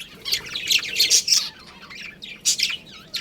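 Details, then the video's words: Budgerigars of a breeding colony chatter in quick scratchy chirps, a rapid cluster of notes followed by a short lull and another burst. "Adorable Budgies Chirping Sounds"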